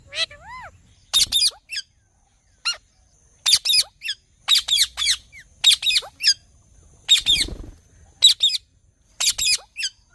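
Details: Green ring-necked parrot talking. Bursts of sharp, high, scratchy syllables are spaced irregularly, with a few faint lower whistled notes at the start.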